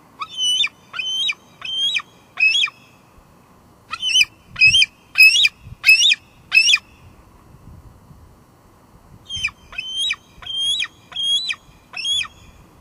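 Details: At a Two Harbors nest in July 2022, a female bald eagle squees and calls, going back and forth to the patio; three bursts of rapid, high, chattering squeals, five or six notes each, with brief silences between.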